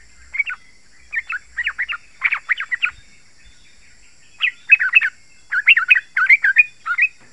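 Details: Yellow-vented bulbul giving dense, sharp song meant to draw wild bulbuls in forest or garden: scattered short bursts of rapid gurgling notes, louder and fuller in the second half.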